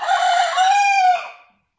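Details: Single loud crow from a Vorwerk rooster of the German breed, kept with hens, sustained and even for over a second before fading quickly.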